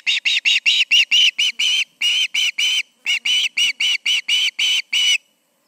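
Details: Evening at the Charlo osprey nest, 20 August 2019 about 7pm: an osprey gives long rapid bursts of shrill, piercing chirps, several per second, with two short breaks before stopping.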